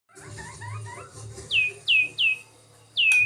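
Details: Captive white-rumped shama at a breeding aviary: soft, low chirping notes at first, then four loud, clear whistles that each slide steeply downward, spaced about half a second apart with a longer pause before the last.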